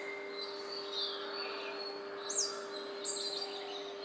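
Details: Blue-capped rock thrush in a busy residential neighbourhood of Koramangala, Bangalore, on 29 October 2020, gives a few thin high notes, including two quick downward-sweeping whistles, over a steady low mechanical hum.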